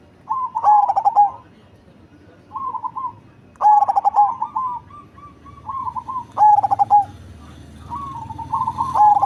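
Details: Cemani zebra dove, large-bodied with a heavy bass voice, calling in pulsing cooing phrases with extra softer trailing notes between them, four main phrases over nine seconds, faint low rumble later.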